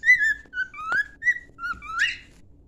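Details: Cockatiel whistling a song used for training: clear tonal whistles, some held, some sliding upward, several short phrases in quick succession, indoors with no other notable sounds.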